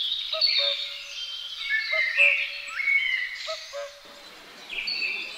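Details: Great spotted woodpecker parents with their young: high, grating chatter and short slurred notes, a repeated low two-part hoot from another bird, then a brief quieter rustling gap before the chatter resumes.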